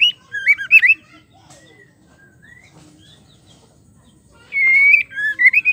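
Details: A female white-rumped shama gives a call used to make males sing: a quick cluster of bright, twisting whistled notes, a long near-silent gap with scattered faint chirps, then a sustained wavering whistle and choppy notes.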